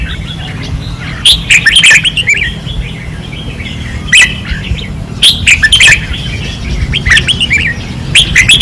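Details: Red-whiskered bulbuls singing fiercely on a training perch, Pattani, 2024. Short bursts of lively, warbled whistles come about every few seconds, separated by quieter gaps, over a steady low rumble.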